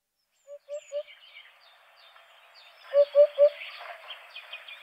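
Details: Eurasian hoopoe giving soft, hollow low hoots in quick triplets, one fainter group early and a louder group of three evenly spaced notes later, over a faint background of other birds twittering higher up.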